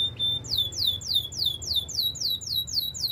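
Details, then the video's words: Training song of a Belgian canary: a steady, fast series of high, bright downward-swooping notes, repeated about three to four times per second, preceded by one short whistle. "Canary training song - Belgian canary singing"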